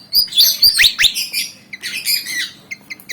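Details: Black-and-white Javan fantail eager to fight: loud sweeping slurred notes and rasping bursts, followed by a few sharp high chips.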